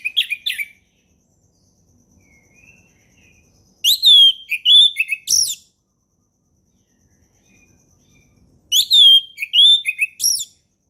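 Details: Orange-headed thrush singing in the relaxed ngeplong style, a tutor recording for young birds learning it: two bursts of loud, varied whistled phrases with rising and falling slurs, about five seconds apart, separated by silence.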